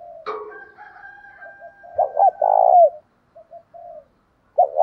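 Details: Spotted dove giving a fight-provoking call for training birds. A sharp click opens the clip, then a faint background coo, followed by one loud phrase of two quick notes and a long falling coo, and a final coo starting.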